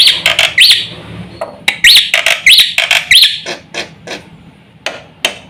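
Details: Black-winged myna in full song meant to set other mynas calling, mixing harsh rasping bursts with sharp upslurred whistles repeated roughly every half second, fading to scattered squawks at the end.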